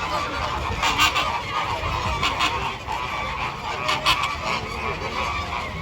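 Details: Dense flamingo flock chorus of loud, nasal, goose-like honks coming in pulsing bursts about once a second, the many overlapping voices forming a constant clamour.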